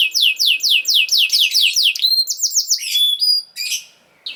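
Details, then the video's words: Canary singing to teach young birds: fast repeated falling whistles, then sharper chirps and thin high notes, ending in a brief trill before quiet. "This Canary Sound Is Very Effective For Early Childhood Canaries To Sound || Voice of Canary"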